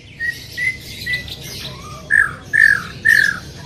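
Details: Short, loud phrases from a greater green leafbird: several clear, drawn whistles, each followed by a gap, the last three louder and slightly buzzy.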